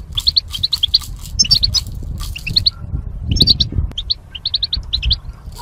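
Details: Song-training recording of caged goldfinch pairs: tinkling, rapidly repeated high chirps in little groups, pausing briefly mid-clip, then resuming, over a low rumbling background.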